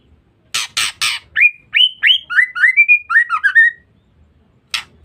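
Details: Three rasping clicks open this call from a female white-rumped shama. A hurried series of rising whistled slurs follows, with some notes broken and buzzy. The ngeriwik call is used as a lure to provoke males.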